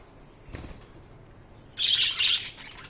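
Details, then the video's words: Budgerigar chirping: a soft wing flutter, then a short burst of bright, high, warbling chirps near the end. "Budgies Sounds| Budgies Chirping sound"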